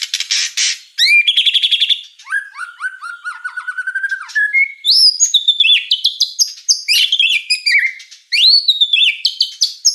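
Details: White-rumped shama singing energetically: a buzzy rapid burst, a run of clipped high notes, then a steady series of slurred whistles near one pitch, and rising and falling whistled phrases that climb higher toward the end.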